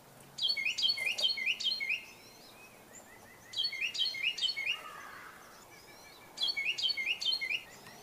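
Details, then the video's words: A common, loud Carolina wren sings rolling phrases of about four quick repeated notes in three bursts, while other birds call faintly in the background. Finding: Carolina wren. "And so we're going to take a moment and listen to the Carolina wren song."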